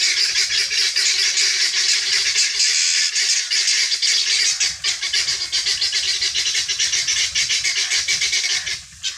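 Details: Free-range helmeted guineafowl searching for feed, calling in a noisy chorus of rasping, crackling notes at about four per second, fading briefly near the end.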